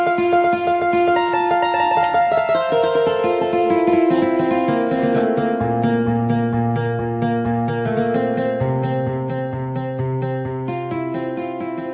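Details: Strummed and plucked acoustic guitar music fills the whole stretch, steady and melodic. No animal voices come through.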